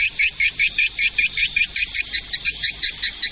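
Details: Sound used to lure edible-nest swiftlets: rhythmic, high, rasping chirps, evenly spaced at roughly two and a half per second, steady to the end.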